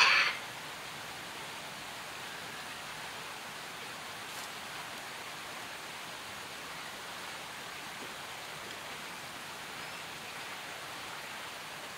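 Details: Steady rain hisses throughout, broken only by a brief sharp burst in the first moment.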